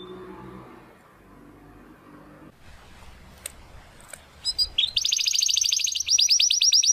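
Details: Belgian canary song recorded for training young and adult birds: low background hum and a few sharp clicks, then a fast, steady high trill that grows louder toward the end.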